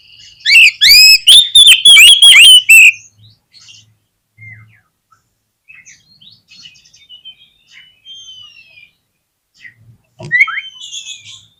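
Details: Oriental magpie-robin trigger song meant to set rival magpie-robins singing: a three-second burst of loud, rapidly repeated upslurred whistles, then faint scattered chirps and thin whistles, with a sharper upward note near the end.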